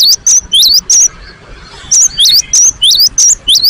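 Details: Gelatik batu, the cinereous tit, singing hard and persistently as a provoking lure: bright, high whistled notes in quick pairs, a first run of four then a second run of six after a short gap.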